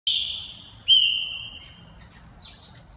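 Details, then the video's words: Caged green-winged saltator, a multi-champion competition bird and proven breeder from Santa Catarina, Brazil, gives a long steady whistled note, then a second slightly lower whistle, with faint high notes at the end. "Trinca ferro Carrasco multi campeão"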